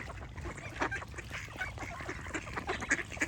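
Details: Overlapping harsh duck quacks, fairly soft and crowded, with a few brighter squeaky notes toward the end and a constant low hum underneath.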